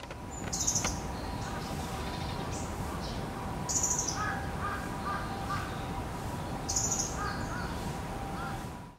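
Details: Asian brown flycatcher (Muscicapa dauurica) on autumn migration at a castle in Hiroshima, 19 September 2016, giving thin, high, sharp call notes about every three seconds, with lower crow-like calls and a steady background hum.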